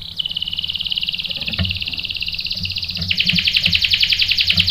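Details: Canary song, a female serving as bait to make the male sing: a long steady high trill that suddenly widens into a fuller rolling trill of rapid notes, with faint low thumps underneath.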